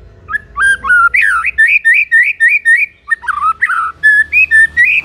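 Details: White-rumped shama delivering loud, varied song to provoke other shamas: a fast run of whistled, looping slurred notes repeated several times a second, broken by a short pause, then more clear rising whistles.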